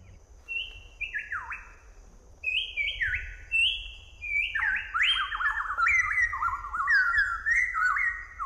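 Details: Southern variable pitohui, the poisonous bird with a melodious song, sings a run of pure whistled notes. The phrases step and drop downward, then quicken into a busier, overlapping warble toward the end.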